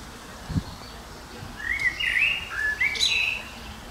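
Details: Common blackbird singing: a few mellow, fluting whistled phrases that slide up and down, followed by a brief higher twittering flourish, with soft low thumps early on and a quiet outdoor background.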